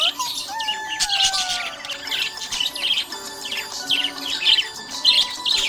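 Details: Happy budgie chirping: dense bursts of high, scratchy chatter and squeaks come in quick clusters, over lower sliding whistled tones and a steady tonal background.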